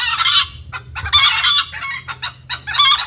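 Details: Loud hen cackle: a strong opening burst, then shorter clipped notes and another harsh burst at the end.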